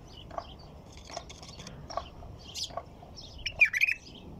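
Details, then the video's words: Quiet scattered chirps lead into a quick bubbly phrase from a white-eared bulbul near the end, with light background noise throughout. "تغريد بلبل طور"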